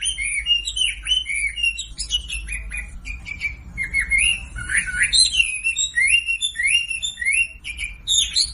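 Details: Lure recording of a Sumatran leafbird to make silent birds sing along: a long, varied run of sweet whistles and chattering slurred notes, delivered in quick bursts with brief breaks, sometimes climbing higher and sharper.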